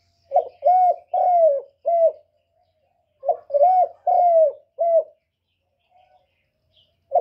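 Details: A decoy spotted dove, used to stir up male doves, gives a hoarse, low cooing phrase of four notes, the third drawn out, repeated about every three seconds; otherwise quiet.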